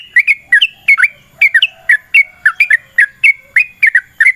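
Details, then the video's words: Sooty-headed bulbul giving its long fighting song intended to make other birds sing; quick, cheerful whistled notes in doubled bursts, steady and bright throughout. "TRUCUKAN GACOR TARUNG ROPEL PANJANG Pancingan trucukan Agar Bunyi"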